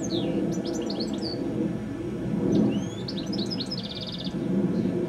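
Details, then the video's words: Goldfinch perched high on a telephone wire at dusk, singing two phrases of sharp high twitters and downslurs, the second ending in a rattling buzzy trill; low background murmur throughout. "Goldfinch Singing a song"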